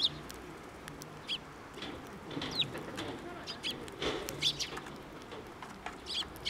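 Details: Sparrows flying in to be given food on the way to a Tenmangu shrine, 19 April 2024: short high chirps spaced about a second apart over a faint low background rumble.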